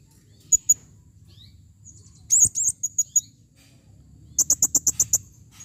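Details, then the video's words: Calling female blue-crowned hanging parrot, recorded 2021: very high, thin sharp chirps, a short buzzy burst, then a rapid string of about eight clipped high notes. "serindit betina memanggil"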